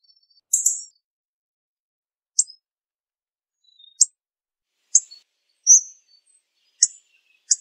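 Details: Hawfinch producing a loose run of high, abrupt ticks and one drawn thin 'tzik', irregularly spaced, with faint lower whistles in the background.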